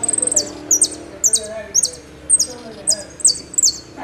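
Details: Argentine goldfinch singing the "El Meryl" style with knocks and whistles: a quick opening trill, then high sharp downslurred phrases repeated about every half second over a quiet background.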